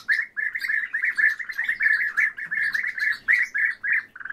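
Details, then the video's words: A pair of captive orioles calls together in a dense run of quick, mid-pitched chattering notes. The run breaks into short bursts and lasts throughout. "ИВОЛГИ ДУЭТ Oriolus"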